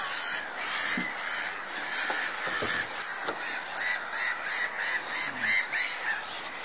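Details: Flock of Bramblings feeding at Woolston Eyes nature reserve, 9 April 2016, giving a steady chorus of harsh, wheezy and chattering calls, overlapping almost continuously, with a few louder nasal notes.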